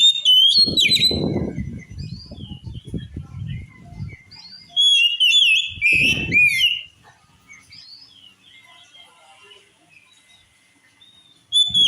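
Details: Oriental magpie-robin, its song said to provoke other magpie-robins to rage: whistled phrases over heavy low rumbling, then a bright burst of sweet trilled whistles, a long quiet stretch with faint notes.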